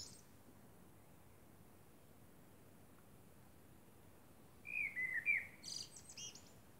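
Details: Common blackbird singing at night under the moon: after long quiet, one low fluted warble near the end slides down and up, then breaks into a thin, squeaky high twitter.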